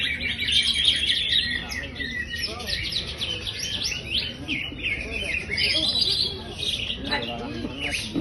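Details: A champion greater green leafbird, described as in high spirits, singing a brisk, unbroken stream of bright chirps and rattling twitters, with rapid irregular phrasing over faint background murmur.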